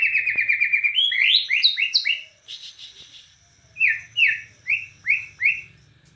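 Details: Bornean white-rumped shama singing: a fast rattling series of whistles, then varied upswept notes, a short harsh buzzy burst, and five spaced, repeated falling whistles, over a faint low hum.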